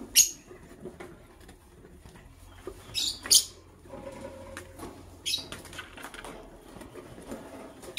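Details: Green and blue lovebirds chirping as they prepare to lay eggs, with several brief shrill high chirps, some in quick pairs, between quieter stretches with a faint lower tone and light rustling.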